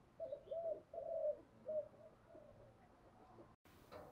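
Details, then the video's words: Spotted dove decoy with a 'thổ' voice, cooing to provoke rivals. Faint, low coos are repeated at an uneven pace over background noise, fading toward the end, followed by a sudden break and a brief noisy burst. "tiếng chim cu mồi thúc đấu vấy gáy gọi"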